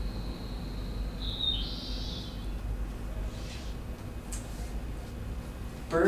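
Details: A faint, high song of the Dusky Seaside Sparrow, a now-extinct bird (extinct in the wild 1987, in captivity around 1990): a thin whistle, a quick rising slur, then a buzzy wavering note, over steady low rumble and hiss.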